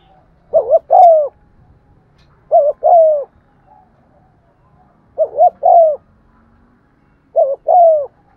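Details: Lure spotted dove in 'giọng son' voice, cooing to excite other doves: four phrases of two brief low coos plus a longer downslurred coo, about every two seconds, over a faint low rumble.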